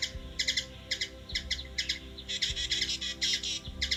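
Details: Hummingbird in Washington DC, USA, with sharp doubled chips that run together into a busy twittering chatter in the second half, over a low droning hum.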